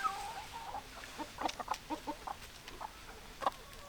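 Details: Hens clucking, a rapid series of soft clucks in the middle with a sharper call at the start and another near the end, over a low hum.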